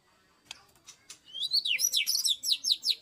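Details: White-rumped shama (Copsychus malabaricus), song.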